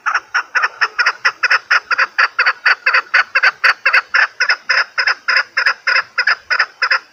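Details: Chukar partridge calling for hunters' lure use: a fast, steady series of harsh, clucking chuk notes, roughly three or four each second, continuing without pause.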